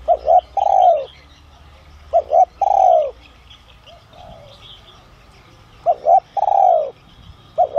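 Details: Spotted dove with giọng son voice calling to lure others: double coo plus long descending coo, phrases separated by a gap, ending on a cut-off phrase; quiet background chirps.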